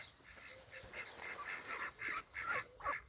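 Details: Short, nasal, reedy calls from ducks at a Welsh pond on 23/5/26, about six of them in three seconds, rising in loudness toward the end.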